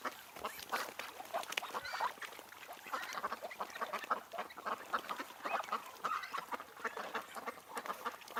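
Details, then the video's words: Wild ducks giving rapid rasping quacks from several birds, irregular and overlapping throughout, moderately loud with no other clear sounds. "What Sounds do Ducks Make?|Duck Sound Effect|Duck Noise|Duck sounds"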